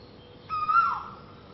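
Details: A koel in Thailand, among birds singing early in the morning, gives a single clear, slightly rising whistled note of about half a second, mid-pitched, over faint background hiss.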